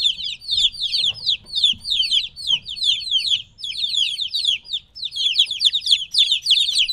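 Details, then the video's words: Noisy three-week-old chicks of domestic chickens, apart from their mother, keep up a thick stream of high, sliding cheeps from many birds, barely pausing throughout. "2 HOUR OF LITTLE CHICKENS CHIRPING NOISE"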